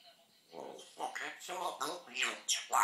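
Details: Female African grey parrot mimicking human speech, swear words and phrases like "wassup": a run of voice-like syllables with shifting tones, ending in higher, sharper squawky words.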